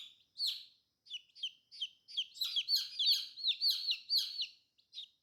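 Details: Newly hatched colorful chicks produce irregular high peeps that build into a rapid, overlapping chorus of falling cheeps before tailing off to a few isolated calls.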